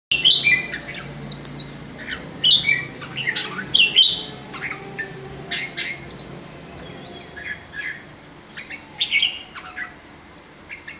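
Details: Caged red-whiskered bulbul in display, described as giving solid kekek calls and playing its wings: bright whistled and chattering phrases, short notes rising and falling, repeated in bursts every second or two over light background hiss.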